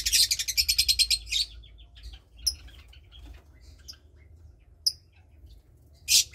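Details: Lovebird chick about 20 days old, one of two nestlings raised by its parents, bred from Parblue Turquoise and Euwing Blue Opaline birds: a rapid burst of high, rasping chirps for over a second, then scattered faint peeps and a short, sharp final burst.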